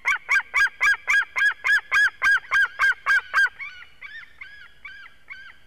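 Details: White-tailed eagle at its nest in Durbe, Latvia, 13 August, with an eaglet present; a quick, even series of strong yelping notes, about four per second, breaks off into quieter, more widely spaced calls.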